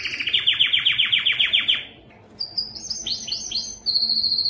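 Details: Belgian canary's strongest song meant to attract breeding females: a run of evenly spaced descending chirps, a short pause, then high clipped notes and a ringing fast trill.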